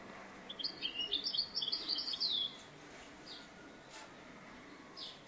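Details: A European goldfinch in a trapping context gives a quick, liquid, tinkling twitter of high notes for about two seconds, then a few faint chirps over steady background hiss.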